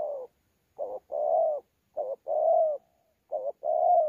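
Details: Spotted dove, wild-caught, thổ pha type, from Sa Thầy, 26 November 2019, in contest cooing mixed with gù: mellow low coos alternating a clipped note and a long, slightly falling one, repeated three times, clean background.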